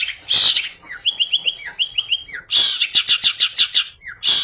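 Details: Long-tailed shrike song full of borrowed phrases, played to draw song from other shrikes: a loud harsh burst, then a quick series of short falling whistles, then fast rhythmic chattering notes.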